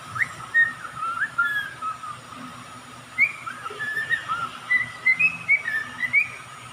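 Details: Pet songbird kept as a caged bird, singing a series of short whistled chirps and slurred notes, some rising and some falling, in uneven bursts over a steady background hum.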